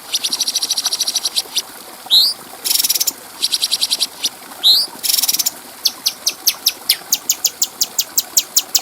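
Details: Clear-voiced cucak cungko bulbul, recorded as master song for training other birds: fast even trills of high ticks, two upswept whistles, harsh buzzy bursts, then a steady run of spaced chips.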